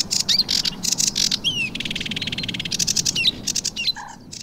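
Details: Ringed Sedge warbler singing a fast, chattering song of harsh churrs, buzzy rattles and sharp whistled slurs, varied without pause; Brière regional natural park, Pays de la Loire, France, 19 April 2023.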